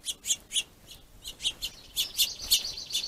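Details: Squabbling finches at a plentiful food source utter quick, high chirps that come in spaced pairs and then crowd into a faster, denser chatter during the last second.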